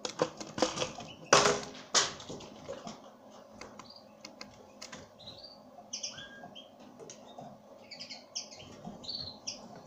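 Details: Loud clicks and knocks open the recording, then a pine grosbeak follows with a run of short, high chirped call notes repeated at irregular intervals.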